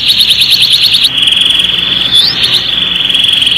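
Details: Canary song used as a tutor recording for young birds learning to sing: a fast buzzy trill of repeated notes, then a long steady high whistle with a brief rising slide, then more rapid trilling.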